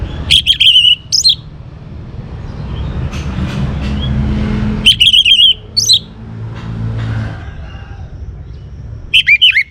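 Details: Young orange-headed thrush singing to provoke other birds to sing: three loud clusters of rapid whistled and clicking notes, roughly every four seconds, with a passing vehicle rumbling between them.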